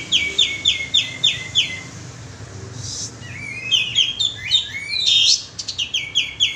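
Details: Olive-winged bulbul (kapas tembak) lure call: an opening run of even chirps, a brief lull, then jumbled whistles and a fresh sequence of rapid repeated notes.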